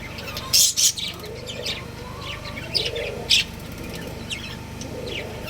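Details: Breeding pair of budgies giving two loud shrill chirps early, then scattered quieter tweets and soft warbling notes over a low steady hum.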